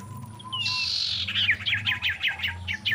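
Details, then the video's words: Common iora singing in mating condition, used as a lure to draw other ioras: a brief high whistle, then a buzzy slurred note and a fast series of about eight sharp descending chips, over a low background hum. "SIRTU GACOR KAWIN BIKIN EMOSI SEMUA SIRTU/CIPOH GACOR!"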